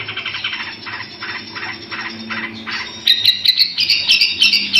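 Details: Long-tailed shrike (Lanius schach), song: used as a master recording to tutor other songbirds.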